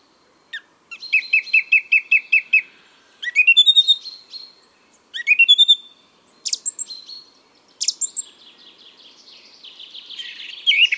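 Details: A male song thrush sings its spring song in Biryulyovsky forest park, Moscow, on 23 April 2022: loud, clear phrases of fast repeated notes, each motif given several times before switching, ending in a scratchy twitter. A chaffinch calls in the background.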